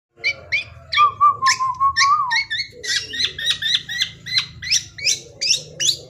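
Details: Young black-naped oriole in full varied song, used as a lure: a long low whistle sliding near steady, then a fast run of sharp repeated chirping notes, about three per second, over a faint low hum.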